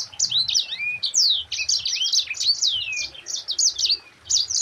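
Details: Fast, high twittering song of a yellow-fronted canary (mozambik), used to teach other birds; quick downslurred notes and trills pour out nearly nonstop, with faint low rumbling beneath.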